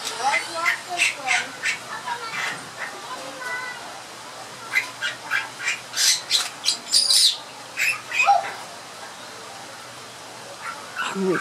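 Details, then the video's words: A Bali myna in a small entry aviary at a zoo sings amid noisy children: bouts of harsh, scratchy chatter notes, about two per second, mixed with a few whistled phrases, over faint voices. "Bali Myna Singing"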